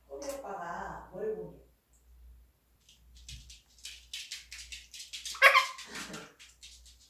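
A parrot speaks a short voice-like phrase, then gives a run of harsh, breathy bursts ending in a sharp screech. Faint room hum runs underneath.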